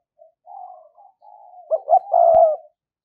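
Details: ['Lure spotted dove with a thổ-style voice: a soft, drawn-out murmuring coo leads into a louder stuttered pair of notes and a long husky coo, with one sharp click.']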